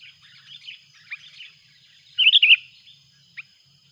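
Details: Sooty-headed bulbul calling noisily on the approach of a rival, a loud lure bird. Soft scattered chirps lead into one loud, rapid bubbling phrase, followed by a single sharp note, over a faint low hum and a steady high tone.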